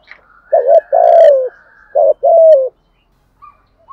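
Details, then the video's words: Spotted dove cooing as a lure in the Vietnamese 'thổ' style: one full phrase of a clipped double note, a long sliding coo, a quick note and a final drawn falling coo. A faint soft tone runs behind it. "tiếng cu gáy giọng thổ gù thúc, chim cu gáy kích bổi hiệu quả, thúc gù dục bổi gáy theo"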